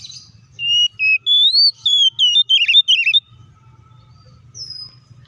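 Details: Oriental magpie-robin in aggressive song for provoking other magpie-robins: a rising series of clear whistled notes turning into rapid wavering slurred phrases, then a single high whistle over a low hum.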